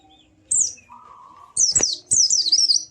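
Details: White-eye kept as a cage bird, sound used to stir a silent bird into singing: high thin downslurred notes, a lower steady whistle, then two bursts of rapid wavering chirps.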